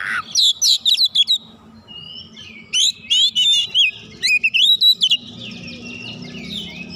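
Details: Oriental magpie-robin responding fiercely with its repertoire of learned fill-in phrases: rapid trains of sharp chirps, about six in a row, alternating with sweet wavering whistles, ending on a long sustained warbling trill.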